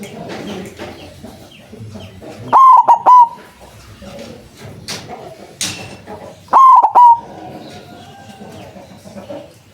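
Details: White zebra dove (perkutut putih) with a big voice, used as a lure for trapping doves: two loud three-note phrases of short, clipped cooing notes about four seconds apart over soft background rustling.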